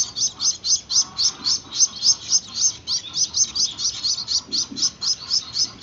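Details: Young Gouldian finches learning to take hand-feeding call with quick, high, rasping chirps in a near-continuous stream, about four per second, with faint low sounds beneath.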